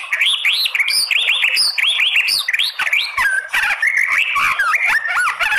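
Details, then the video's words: Lure of a female white-rumped shama calling to males: fast, continuous sequence of looping, arched whistled notes, roughly three per second, varied in pitch with interspersed sharp clicks. "RESPON CEPAT!!! MURAI BATU APAPUN AKAN BONGKAR ISIAN ¦ PANCINGAN MURAI"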